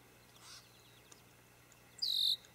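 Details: A red-winged blackbird defending its nest from a white-tailed deer on 29 June 2019 gives one harsh, buzzy, high call lasting about a third of a second, after a faint brief note; the background is otherwise quiet.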